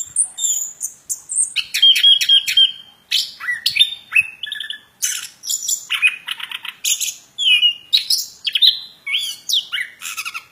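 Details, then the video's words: Extended plontang bird song with rapid stuttering trills, harsh chatter and high whistled notes, phrases bursting out one after another with barely a pause. "Burung Plontang suara mantab"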